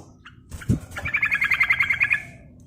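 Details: Yellow-vented bulbul giving a lively rolling chatter, used as a lure for other birds: a rapid series of about a dozen bright, even pulses over roughly a second, preceded by a short low thump and a faint note.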